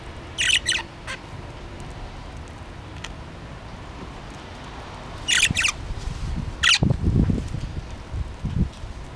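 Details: Pet budgerigar playing with its homemade toy, letting out harsh, scratchy squawks in short double bursts near the start and again midway, with low thumps and rustling afterward.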